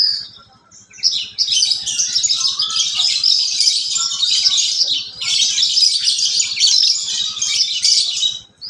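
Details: A captive Horsfield's bush lark (Mirafra javanica) pours out a fast, high, unbroken twittering song mimicking sparrows and canaries, pausing once near the middle, over a faint low hum.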